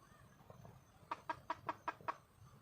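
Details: Wild red junglefowl hen calling for a male: six short, evenly spaced clucks about a fifth of a second apart against faint background noise.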